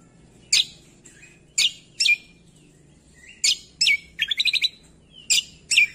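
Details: Singing cucak kombo used to train songbirds: isolated loud, sharp chirps every second or so, with a short burst of rapid buzzy notes in the middle.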